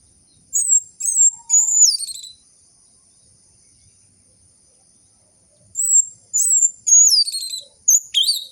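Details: Orange-headed thrush song played as a lure for silent captive birds: clear whistled notes, several sliding downward, given in two bursts separated by a few seconds of quiet, over a faint constant high tone.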